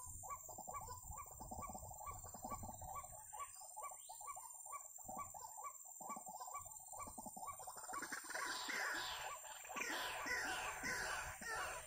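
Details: White-breasted waterhen, or ruak-ruak, during bird trapping: evenly spaced hollow croaks about twice a second for eight seconds, then loud rustling and handling noise drowns the calls.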